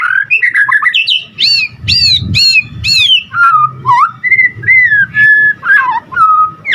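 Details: White-rumped shama in full gacor song, used to stir rival males: a run of sharply descending whistled notes, then lower liquid whistles and short varied phrases, low background rumble.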